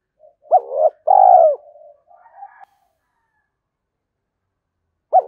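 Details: Spotted dove giving a lure coo to attract wild doves. One full phrase, a short upward note and a longer sinking coo, then softer muttering notes and the start of another phrase.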